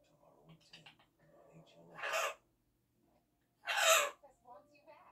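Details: Blue-winged macaw giving two loud, harsh, raspy squawks, each about half a second long and nearly two seconds apart, with quiet human speech and small murmurs in between.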